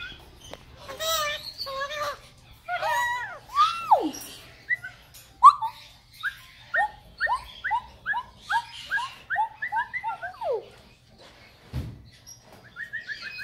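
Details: A pet Major Mitchell's cockatoo kept at a bird store in the Los Angeles area gives scratchy, voice-like squawks, then a fast run of about a dozen short, down-slurred whistled notes, roughly two per second.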